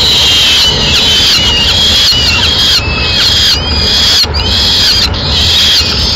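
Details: Peregrine falcons in Madrid, 4 May 2016: the male brings a swift for breakfast and feeds the chicks before they eat on their own. Sharp, high whistled calls repeat irregularly, about eighty a minute, over a broad hiss.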